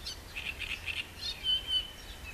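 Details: Green sandpiper recorded on 7 June 2012 at Roszków: a quick series of short high piping notes, then a longer thin level whistle, over a steady low outdoor hum.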